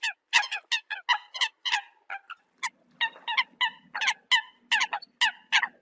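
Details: Flock-calling Eurasian coot repeats loud, short, grating notes in fast runs, with a faint low murmur in the second half.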